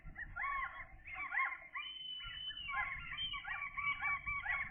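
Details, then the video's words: Seagull chicks at day 13, two remaining, growing fast and learning to visit a food tray by themselves: continuous overlapping high whistled peeping with rising and falling notes over low background rumble. "seagull chicks, day 13 update"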